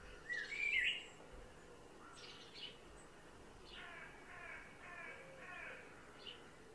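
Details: Male blackbird on lookout for danger and singing on an overcast morning around 9.25am, 6 July 2024: one loud, brief warbled phrase near the start, then softer repeated notes with a rich, layered tone over steady background hiss.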